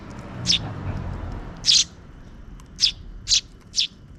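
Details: Parent sparrow feeding two chicks near dusk; a single high chirp, then a louder harsher one, followed by three quick chirps in a row, with low murmur early on.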